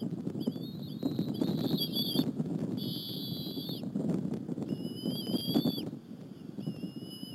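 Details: Bald eaglets at a Berry College nest sharing a squirrel lunch with their mother on an April 30, 2015 afternoon, caught by a live nest camera. Thin, high whistled calls with slurred pitch come in several bursts over a steady low rumble.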